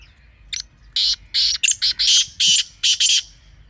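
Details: Teetar call as a fast, uneven string of about ten harsh, buzzy bursts, building in loudness and closing with a doubled pair of screechy notes.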